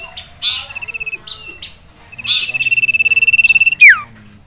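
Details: Excited male sirtu, caged, facing a rival and a female: a short level trill, then a longer fast one building in volume and ending in a sharp downward slur, with brief chirps nearby.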